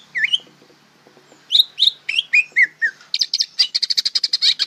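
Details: A young greater green leafbird learning to sing: a lone slurred whistle, a pause, a run of falling whistled notes, then a dense burst of rapid harsh chattering notes.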